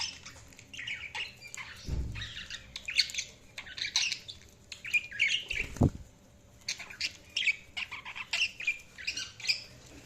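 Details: Budgerigars keep up a lively scratchy warble of short chirps and squeaky notes in irregular bursts, with two low thuds midway and faint background hum.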